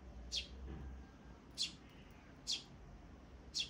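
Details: Sparrow chicks recorded on 23 May 2024, uttering short sharp high chirps spaced about a second apart, four in all, over a soft murmuring background.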